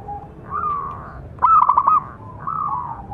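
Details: Big-voiced local zebra dove calling to train other doves: a soft, level coo, then a loud rattling run of five or six fast coo notes, then another smooth drawn coo.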